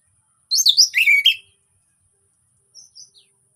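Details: An orange-headed thrush's relaxed song meant to prompt silent birds: one dense second-long burst of high, twisting warbled notes dropping in pitch, followed by a few faint thin squeaks.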